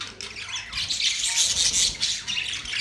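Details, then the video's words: Budgerigars warbling indoors, a continuous high twittering chatter of overlapping squeaky chirps that swells in the middle and then eases slightly. "Beautiful parrot sound | budgies relaxing sound"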